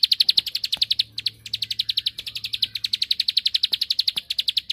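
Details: High, rapid ticking song of a bar-winged prinia, meant to provoke an answering rival. The notes come about four per second in short runs, with brief stumbles and gaps between them.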